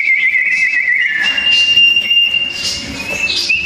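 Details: Two sooty-headed bulbuls in a fierce duel, loud and dense: a slurred, slightly falling whistle, then a long level whistled tone that ends in a short rising flick.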